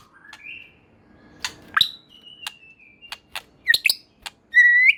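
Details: White-rumped shama song, used as playback to provoke other shamas into responding: a varied mix of clear whistles, short clicks and sharp notes with pauses, ending in a loud rising whistle.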